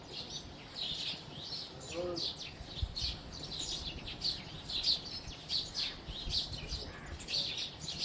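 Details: House sparrow flock chirping loudly, with brisk high cheeps packed closely and some louder notes standing out. A brief low voice-like tone is heard around the second second.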